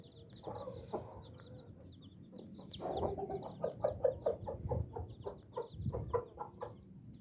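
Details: A hen mothering nine baby chicks gives a run of short, low clucks, quickening in the middle, while the chicks keep up high, thin peeping in the background.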